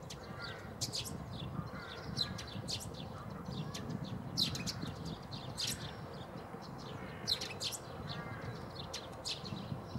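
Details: Eurasian tree sparrow in Zagreb's Bundek area, Croatia, 9 March 2015, giving repeated sharp chirps in loose bursts, mixed with lower harmonic calls of other birds and noticeable low-frequency background rumble.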